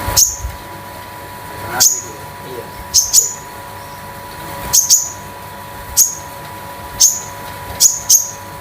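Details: Common iora (konin), a young bird at home losing its speckled plumage, used as a lure and tutor for other birds; thin high whistled notes with sharp onsets, spaced about one to one and a half seconds apart, over steady indoor hum.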